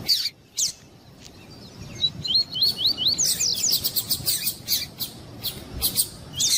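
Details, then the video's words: Variable seedeater (Sporophila caerulescens): a male and a calling female, meant to excite a male. A fast, high twittering song of sweet slurred notes and rising chirps comes in quick bursts over a quiet background. "COLEIRO TUÍ-TUÍ E FÊMEA CHAMANDO"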